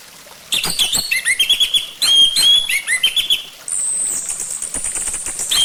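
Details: Song of an orange-headed thrush, used as a lure to get the bird singing: rapid bursts of sharp chips and slurred whistles, clear falling whistled phrases, then a long sustained high thin whistle.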